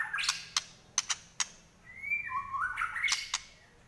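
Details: White-rumped shama singing trotol style while fighting: sharp dry clicks repeated at intervals, then a thin rising whistle that drops into a wavering lower phrase, with more clicks around it.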